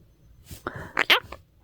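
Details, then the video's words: A pet parrot, chatty when given a cave made from a blanket, utters a few quick, raspy speech-like syllables, the last ones sharp and high, in a quiet room. "조용한 앵무새 이불로 동굴을 만들면 하는 말들"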